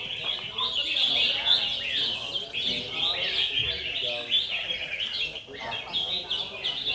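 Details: Several Red-whiskered Bulbuls compete at a songbird singing contest in Bình Dương, Vietnam, with judges watching. They sing together in a dense chorus of bright, rapid, bubbling whistles while a man talks underneath.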